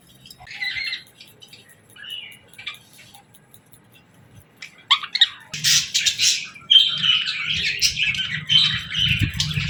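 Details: Morning parakeet chirping: a few isolated chirps early, then after about five seconds a dense, continuous chattering warble builds up, with low rumbling handling noise underneath.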